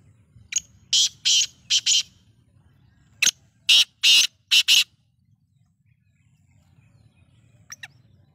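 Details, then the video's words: Black francolin giving a rasping call of clipped, scratchy notes in quick clusters. A second burst follows after a pause, then near silence with a soft low hum. "kaly teetar ki awaz"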